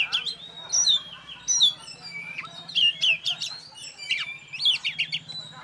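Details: Caged oriental magpie-robin (kacer), a contest champion, singing alone on its perch: varied, loud whistled phrases with sharp upslurs and downslurs, given in bursts about every half second, over a low steady hum.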